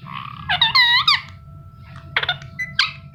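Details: Indian ringneck parakeet indoors giving a loud nasal squawk with sweeping harmonic pitch, then a few shorter harsh chirps, over a steady low background hum.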